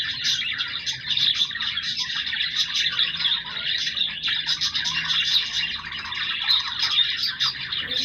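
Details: Pet budgerigars produce steady, overlapping high-pitched warbling and chirping chatter with occasional louder squeaks, without pauses.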